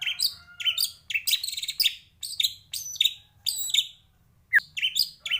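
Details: A white-rumped shama sings a lively, varied fill-in song intended as a model for training birds: dense bursts of high chattering notes, brief low whistles, and a pause broken by one sharp downward note.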